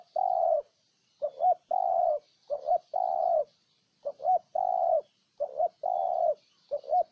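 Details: Ninh Thuận spotted dove cooing steadily: alternating short double hoots and longer sustained low coos, about eight elements running back to back with brief gaps, clear and close over a silent backdrop.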